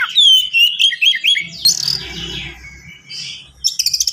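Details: Caged white-rumped shama (kacer) singing a fast, dense, varied song: loud whistled sweeps sliding down, quick chirps and rattling notes, ending in a burst of sharp repeated clicks; faint low hum beneath.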